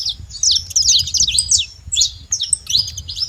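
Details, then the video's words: Wild saffron finches flocking at a feeding place: clustered bright chirps and quick down-slurred notes in short bursts, about two per second, over a low murmuring background. "rebanho de canário da terra na seva livre na natureza"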